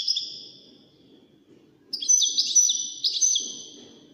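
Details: European goldfinch, a wild-caught contestant among five songsters, gives a short high twitter, pauses, then a sustained bright phrase of looping, liquid notes and chips, with a quiet rumble beneath.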